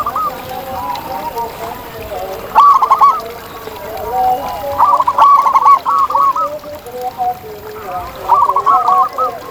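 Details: Zebra dove calling in the wild with a strong voice: three separate rapid runs of short ringing coos, the middle one longest, over a steady bed of softer, lower dove cooing.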